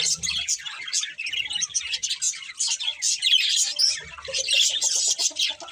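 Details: Busy chirping of a breeding budgerigar pair, fast twittered notes and scratchy chatter delivered in pulsing bursts, growing fuller toward the end, with faint low thumps at the start and near the four-second mark.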